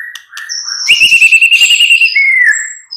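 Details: White-rumped shama singing as a mid-morning lure to draw replies from other birds. A long, steady, ringing whistle runs alongside a rapid stuttering trill, then falls into a lower closing note.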